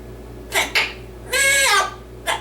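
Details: Yellow-naped amazon parrot, a pet male, indoors performing his usual routine of singing a song and reciting a Dr. Seuss book: two short harsh bursts, then a sustained harmonic-rich sung note that dips, and a final brief burst.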